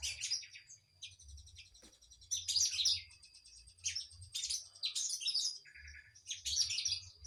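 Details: Kinoi singing energetically, repeated bursts of sharp, high buzzy twitters about every second, separated by short gaps, with a low rumble beneath.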